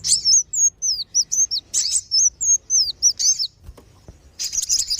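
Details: Recording of kolibri wulung and sogon sunbirds played to attract wild birds: quick series of high, curling whistled notes in rhythmic bursts, a brief gap, then a harsh buzzy chatter at the end.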